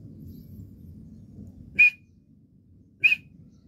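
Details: Teetar partridge giving two loud, brief piercing notes about a second apart after a quiet stretch of low rumbling background noise.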